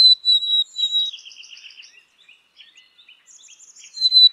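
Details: Black-capped chickadee: a high, pure two-note whistle opens, followed by a run of buzzy, descending dee notes and soft chips, then another whistle starts.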